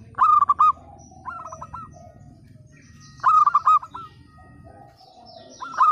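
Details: Zebra dove of local stock with a bold 'pecah' voice, played to stir mute birds into song: rolling, stepped coos in phrases, a fainter answering phrase between the loud ones, low rumble underneath.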